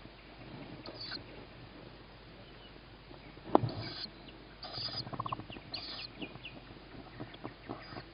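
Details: Tawny owl owlet at the nest on 21 May 2017, 21:38, hearing its mother as a sibling gets first food on the roof before feeding. Brief hoarse, hissing begging bursts come about once a second, among scratchy rustles and knocks.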